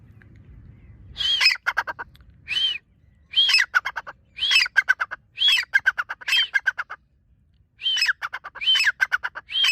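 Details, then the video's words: Partridge (teetar) calling: a series of loud bursts, each a rising-falling whistled note followed by rapid harsh clipped pulses, repeated about every second with short pauses; quiet background. "teetar ki awaz"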